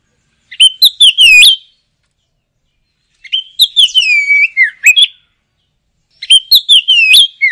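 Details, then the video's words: Singing oriental magpie-robin delivering lively, chattering phrases: three bursts of bright whistles, each starting with sharp notes then gliding into a long, slowly falling whistle, separated by brief quiet gaps. "Suara Kicau Burung Kacer - Ngoceh Gacor"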